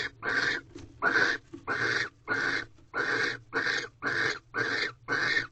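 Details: Barn owls in a nest box at Corral on a February night, 7:46 pm, during mating as the male returns with another mouse; harsh broadband hissing screeches, about nine in a row, each roughly half a second, with faint low rumble beneath.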